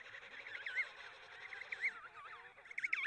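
An emperor penguin chick gives a high, whistled, warbling call that wavers up and down continuously for three seconds.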